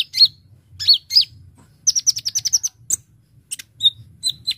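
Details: Brown-throated sunbird giving a sharp, crystal-clear 'gacor ngobra' song for luring: bending whistled notes, a quick run of staccato ticks, then spaced high whistles.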